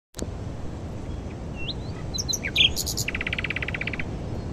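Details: Nightingale singing hidden deep in a thicket at dawn in high wind in spring, the first of the season, newly arrived from West Africa at Glapthorn Cow Pasture, Northamptonshire, UK; a few thin whistles, then a fast repeated rattling series over steady wind roar.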